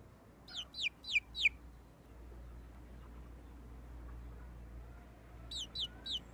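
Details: A frizzled Pekin bantam chick, red porcelain mille fleur and about a month and a half old, gives shrill, down-slurred peeps, four in a quick run, then a pause and three more, over a low steady hum.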